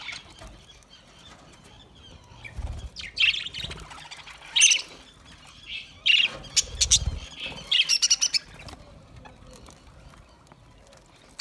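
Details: Budgerigars calling in short, separate bursts of harsh squawks and sharp chirps, spaced a second or two apart over a quiet, faintly hissing background.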